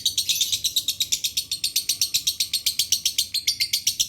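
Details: Lovebird song of the "dry voice" style used as a lure; rapid, high-pitched chirping notes repeated about four per second in a steady, insistent stream, with a low background hum.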